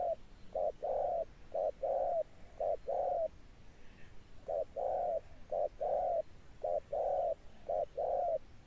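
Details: Spotted dove giving 'âm sấm' thunder-toned cooing, a rhythmic run of paired coos, a clipped note and then a longer one, about one pair per second with a short pause midway.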